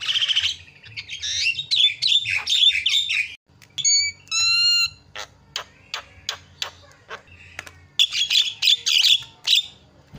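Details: Javan myna singing with harsh chattering bursts, a clear series of pure whistled tones, then rhythmic sharp clicks and renewed scratchy chatter.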